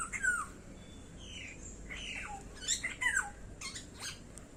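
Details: Black-hooded oriole (Assamese সখীয়তী চৰাই) calling in a series of slurred whistles that drop in pitch, several notes spaced across a few seconds, some rougher and more squawky, over a quiet background hiss.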